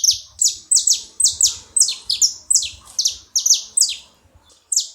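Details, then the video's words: Loud saffron finch chirps at a feeding spot, clear high notes that slide downward, often in doubled pairs, spaced about every half second. "Canário da terra fazendo barulho na seva"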